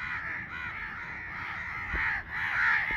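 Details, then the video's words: Hoarse, continuous cawing from a baby crow, slightly wavering in pitch, with a couple of sharp knocks or clicks near the end. "Baby Crow sound || crow bird crowing sound || crow ki awaz naturally"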